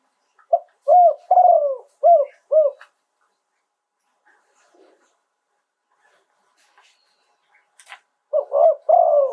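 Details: Spotted dove cooing live in a 'throw two kuk' phrasing style: a burst of five low hooted notes with one longer drawn-out coo, a quiet pause of several seconds, then the phrase starts again.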